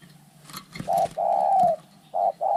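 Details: Fighting spotted doves: after clattering knocks, a short coo leads into one long, steady, drawn-out coo, then two brief clipped coos in quick succession.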